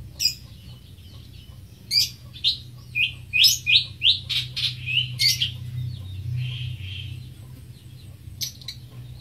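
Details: Greater green leafbird giving a rapid burst of sharp chirps and clicking notes over about four seconds, then a softer warble and a final chirp, over a constant low hum.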